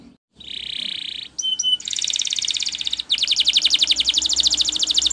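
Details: A Spanish Timbrado canary sings a training song: a steady buzzing roll, two short metallic notes, then long, rapid, high rattling trills repeated many times a second over a faint background hum.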